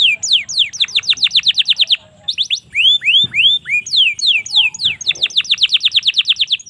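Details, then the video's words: Domestic canary song for training young birds, from Indonesia: rapid series of descending whistled notes repeated in fast trills, broken by rising slurred phrases and brief pauses, all high-pitched. "suara burung kenari cocok untuk masteran maupun pancingan kenari paud"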